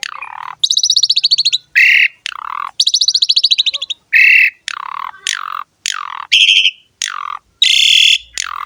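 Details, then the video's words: Asian pied starling song for luring starlings: loud grating rattles alternate with harsh, descending squawking notes, separated by short gaps. "JALAK SUREN GACOR ‼️ MASTERAN DAN PANCINGAN BURUNG JALAK PALING AMPUH"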